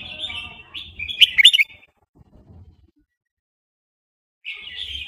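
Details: Burmese-type red-whiskered bulbul in fast wild-style song: a short run of rapid, warbled whistled notes with a sharp accented burst, then silence and the start of another phrase.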